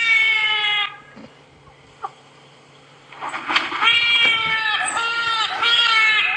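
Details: Trumpeter hornbill in the northeast of South Africa (Djuma Game Reserve area) at dawn on 13 August 2016, about 11°C, giving loud, nasal, wailing cries likened to a baby crying, in long drawn-out bursts with short breaks.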